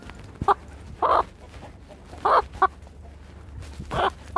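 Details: Attacking Brahma rooster uttering loud, clipped clucks: single sharp notes and short doubled bursts spread over a few seconds, over a constant low hum.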